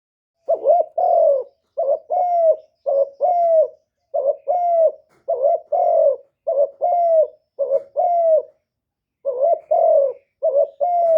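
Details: Spotted dove decoy bird giving a '1 hậu' style call used to lure wild doves: low mellow coos in paired phrases, a short note and then a longer falling one, repeated steadily about once a second in a quiet setting.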